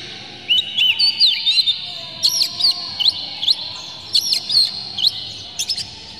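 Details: Oriental magpie-robin in excited tail-open song used to provoke rival magpie-robins into singing; short phrases of sharp upslurred whistles repeated roughly every second with brief gaps.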